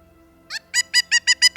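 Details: A Pileated Woodpecker in Canada gives a loud, ringing series of six or seven quick, even notes, about six a second, over a faint steady hum.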